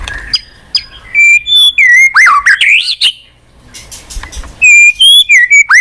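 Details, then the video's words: White-rumped shama singing in a recording meant to trigger a reluctant kept bird into song: sharp chips, bright whistled notes, then a loud run of swooping slurred phrases, a quiet gap and renewed ringing whistles. "Pancingan MURAI BATU MALAS BUNYI Sekali putar langsung NYAUT ,GACOR & BONGKAR ISIAN"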